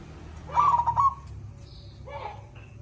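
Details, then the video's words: Zebra dove with a big voice, recorded as a training track for other songbirds. It gives a rapid burbling, trilled coo phrase lasting about half a second, followed by a softer, lower warbled coo. Steady low hum underneath. "Masteran burung Perkutut gacor - mbpg suara besar"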